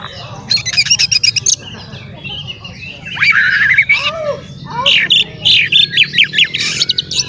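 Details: Male Oriental magpie-robin singing hard, used as a lure to agitate other magpie-robins into tail-spreading; bursts of rapid harsh buzzy rattles alternate with sweet whistled and slurred phrases over a steady low hum.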